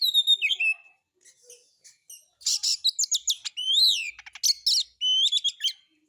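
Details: White-rumped shama, kacer, singing a lure song meant to provoke other birds to sing, harsh material style; loud whistled phrases with bright harmonics, sharp rising and falling notes and rapid chattering bursts, separated by short pauses.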